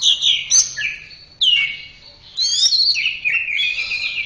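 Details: Singing orange-headed thrush, a training recording: fluid whistled phrases with falling slurs and dense warbled passages, loud and continuous apart from one short pause.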